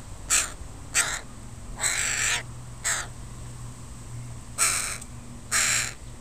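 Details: Crows of a family with young birds in a park: six harsh caws, some short and clipped, two longer and drawn out, spaced irregularly over six seconds, with a low steady hum underneath.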